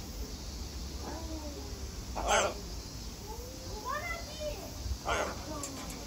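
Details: Talking Harlequin and Catalina macaws at Atagawa Tropical & Alligator Garden produce voice-like, tonal phrases with rising and falling inflections, broken by two brief harsh bursts, against a steady low hum.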